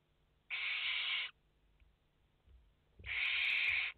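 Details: Barn owl chicks, five in the nest, on a live nest camera, 29 August 2021: two harsh, breathy hissing bursts, each under a second long, separated by a quiet gap of about two seconds.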